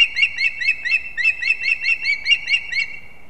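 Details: Osprey chicks vying with each other at their pine-branch nest in Kurzeme, Latvia, 11-9-24. A quick series of downslurred whistled chirps, roughly three per second, tails off near the end.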